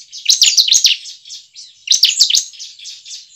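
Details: Bar-winged prinia lure song for coaxing caged prinias into song: two loud clusters of shrill, rapid chirps about one and a half seconds apart, trailing into a softer high twitter.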